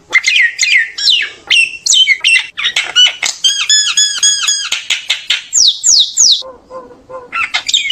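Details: Common myna calling its flock in a long, varied outpouring of harsh squawks, a run of ringing metallic squeaks, and three steep falling whistles, followed by soft low gurgles and more chatter.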